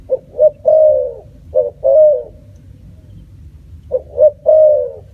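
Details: Spotted dove giving a cooing call: phrases of two short notes and a longer, slightly falling drawn-out coo, repeated three times with pauses, low hum in the background.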